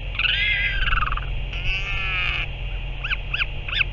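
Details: Northern royal albatross, recorded 30 March 2023: a long, nasal, wavering bray, then a harsher drawn-out note and three short rising-falling yelps, over steady low wind rumble.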